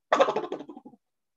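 White-winged Dove flushing: a brief, muffled fluttering whistle of wingbeats lasting under a second, fading as the bird leaves.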